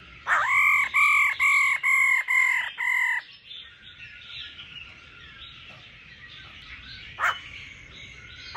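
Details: A female laughing thrush calls to stimulate a male to sing strongly. Six loud, ringing, harmonic notes come in quick even succession and are followed by soft, rambling warbled twitters. A single sharp note sounds near the end.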